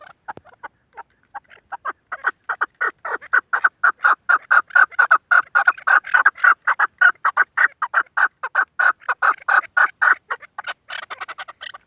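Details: Female chukar partridge kept as a hunting decoy, calling: scattered soft clucks build into a fast, steady run of harsh chuk notes, close to two per second, before trailing off.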